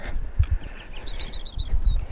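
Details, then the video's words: On the sunny, warm Orono Bog boardwalk in Bangor City Forest, Maine, a Lincoln's Sparrow, a northern bog bird, sings a quick, bubbly run of high twittering notes that climbs then rolls along for about a second, over low outdoor rumble. "oh and a Lincoln Sparrow just sang"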